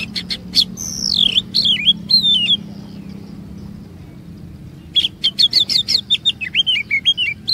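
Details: Magpie-robin, Oriental, singing as a lure to make others sing long phrases; a burst of sharp chips and descending whistled slurs, a quiet gap of about two seconds, then a fast run of staccato notes and twisting whistles.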